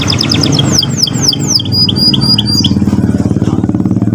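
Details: Young canary singing to provoke another young canary: quick trilled notes, then a series of slurred descending whistles repeated about every quarter second, with a motorcycle-like engine droning underneath.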